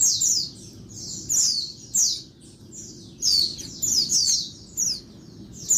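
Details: Daytime calls from a female Oriental white-eye intended to get males singing: bright, high, falling squeaky notes in irregular bursts of two or three, clean background.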